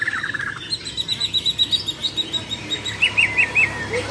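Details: Bornean white-rumped shamas, champion contest birds, in a singing duel of besetan and tembakan: thin high notes repeated nearly three times a second, a brief buzzy opening and a few looping whistled notes near the end.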